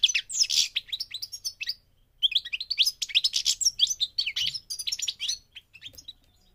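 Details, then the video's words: Goldfinch during migration delivering a jangling, high twittering song in two long phrases split by a short gap, the notes sharp, clipped and quickly repeated. "The singing of the migrating goldfinch"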